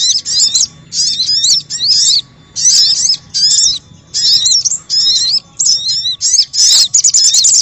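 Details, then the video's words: Noisy spiderhunter lure call: busy, high chattering bursts of sharp twittering notes, each burst under a second, repeated almost continuously with short gaps. "Suara Pikat Burung Sogok Ontong Ribut"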